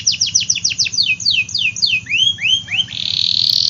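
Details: Canary performing a rapid series of falling sweep notes that broaden into rising upswept whistles, closing in a bright sustained trill over low background hum.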